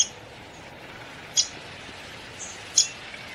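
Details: Two crisp, high single notes from a downy woodpecker, roughly 1.4 seconds apart, against quiet outdoor background noise.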